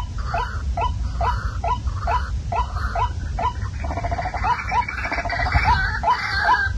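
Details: Waterhen call played at night as a lure for catching the birds: short rising whistled notes repeated about twice a second, then a rapid pulsed chatter mixed in, over a steady low hum.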